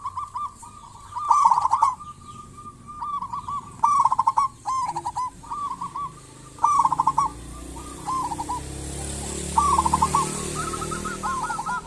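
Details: Zebra dove of the local type, a lure for other zebra doves; repeated phrases of quick stuttered coos with rolling endings, alternating with quieter gaps over a low hiss.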